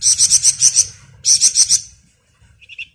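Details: Flamboyan bird singing ngebren, recorded as masteran for other songbirds: two quick runs of high, sharp chattering notes back to back, then a few soft, lower twittering notes trailing off, with faint low background rumble.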